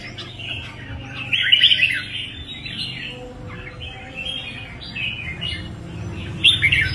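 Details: Red-whiskered bulbul delivering quick, chattering warbled phrases that swell louder near the start and end, against noticeable low rumbling background noise.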